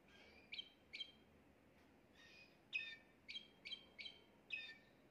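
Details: Domestic Timbrado canary singing its fault-free song used to train young birds: crisp high chirped notes, first a pair, then a run of five quick notes with short gaps, against light background hiss.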